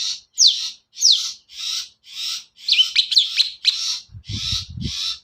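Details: Long-tailed shrike singing a lure song meant to set other birds singing, with rasping buzzy blocks repeated about every half second, a few falling whistled slurs, and low knocking near the end.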